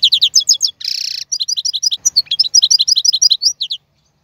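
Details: European goldfinch, a male kept for training fledglings, singing a bright tinkling run of rapid notes broken by one short buzzy trill, then more quick liquid twitters until a sudden stop.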